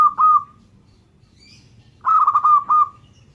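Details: A local zebra dove sings two clear phrases of quick, rolling, mellow coos, separated by about a second and a half of near silence. The second phrase is longer, with stuttered notes falling into a final drawn note.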